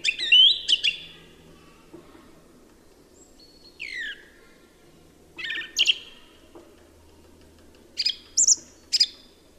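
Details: Song thrush singing: short, clear whistled phrases high in pitch, given in bursts with pauses between, ending in a pair of sharp repeated notes near the close; faint low background hum throughout.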